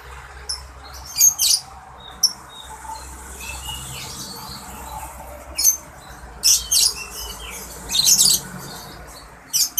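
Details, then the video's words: Beautiful songbird kept by its owner, said to sing very melodiously: scattered high, sharp chirps and short trilled bursts separated by pauses, with faint lower whistles and steady low background hum. "Kicau burung"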